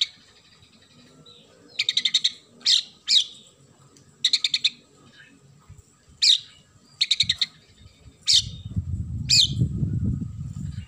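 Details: Oriental magpie-robin with sparrow-call filling: short, harsh chattering bursts of rapid ticks and single sharp chirps are spaced a second or so apart. A rumbling noise builds near the end.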